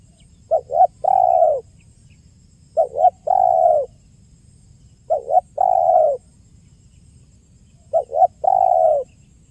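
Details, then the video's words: Spotted dove delivering the 'kuk 1' lure call four times at a fairly even pace, roughly every two and a half seconds, each phrase two clipped hoots then a long, slightly descending coo; faint low hum. "SUARA JERNIH BURUNG TEKUKUR KUK 1 GACOR"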